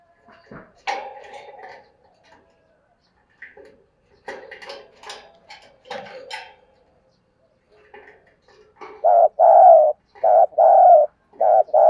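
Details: Spotted dove cooing to provoke a fight: a rapid run of short, low, hollow coos packed close together near the end, after scattered quieter coos, clicks and faint knocking earlier on.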